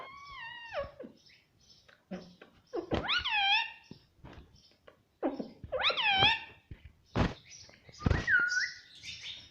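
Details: ['Pet Indian ringneck parrot talking without pause, voicing "mummy": falling and arched harmonic syllables repeated in uneven bursts, mixed with sharp clicks and noisy squawks. The passage ends with a short rising whistle.']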